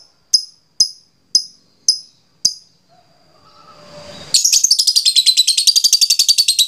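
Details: Lovebird ngekek, a long chatter played to stir other lovebirds into calling. Five sharp, high ticks come about half a second apart. After a quiet rise, a dense, rapid, harsh chatter of buzzy notes bursts in and runs on.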